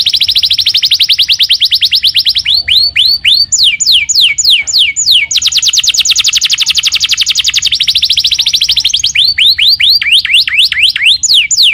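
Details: Canary song meant to lure another canary into answering, with long rapid trills of tight repeated notes alternating with slower downward-swooping whistles, loud and continuous throughout.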